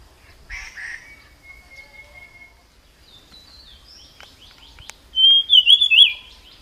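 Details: Wild jungle flycatcher (tledekan) heard among a steady thin whistle and scattered chirps, ending in a loud, rapid phrase of high looping whistles.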